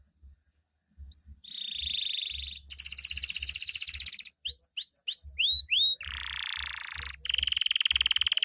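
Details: Loper canary in full song at night: a steady whistled note, buzzy rolling trill, a string of quick rising chirps, then long flat whistles and a shimmering buzz.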